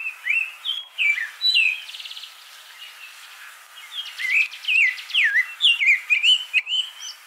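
Abyssinian thrush singing varied, rich whistled phrases that rise and fall, broken by short dry rattling trills, with brief pauses between bursts.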